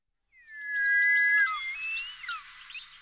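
Short-toed snake eagle giving a long, clear whistled note that slides gently downward, then breaks into wavering fluty phrases; faint small-bird chatter behind.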